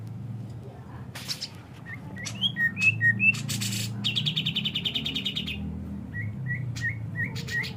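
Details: Cucak jenggot, the grey-cheeked bulbul, in full song across high and low registers: scattered whistled slurs, a rapid buzzy trill lasting over a second, then repeated short rising whistles, with a steady low hum behind.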